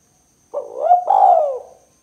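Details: A spotted dove's two-part 'kuk 2' coo, used as a lure to prompt birds. A gruff short note runs straight into a vibrating, downward-bending coo. The setting is otherwise quiet.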